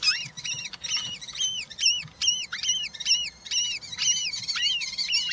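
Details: European roller chicks, three of them, in the nest on a live nest camera, 20 June 2023, while being fed. Rapid series of arched, harmonic squealing notes repeated more than twice a second, with a faint low rumble underneath.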